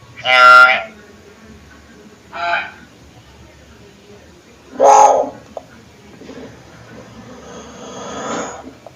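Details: Hill myna calls played as a lure to set other mynas calling: three loud, harsh squawks with rich harmonics about two seconds apart, a short click, then a softer raspy hiss near the end, over a quiet indoor background.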